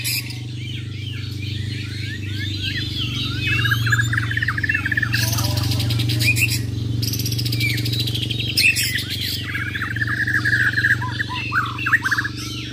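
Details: Champion Bornean white-rumped shamas of Muara Wahau in a singing contest, besetan and tembakan fills: dense runs of quick slurred chatter and trills, broken by loud harsh bursts, over a strong low hum.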